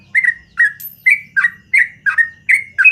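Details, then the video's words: Morning song of a yellow-vented bulbul in 'ropel panjang' style: paired, slurred whistled notes given in quick succession, roughly three per second, each one clear and ringing, with faint low background hum. "BURUNG TRUCUKAN GACOR ROPEL PANJANG DI PAGI HARI"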